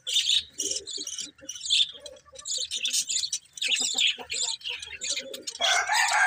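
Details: Budgies chirp and warble in fast, overlapping phrases of scratchy and whistled notes, closing with a harsher buzzy squawk.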